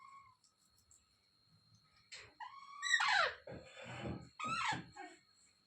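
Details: Ringneck parrot, kept as a pet, starts with a faint short whistle, then gives loud harsh screeches with falling harmonics in two bursts, in a small indoor room.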